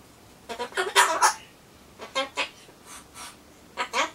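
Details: Solomons corella kept as a pet murmuring to itself before its pumpkin arrives. Quieter, choppy speech-like syllables come in short clusters, with soft gaps between groups and a small room's hush behind.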